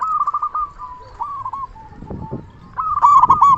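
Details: Loud local zebra dove whose call serves to lure and trap doves and provoke replies. A trilled, stuttering coo opens, then comes a quieter stretch with some rustling noise, and another bright burst of coos at the end.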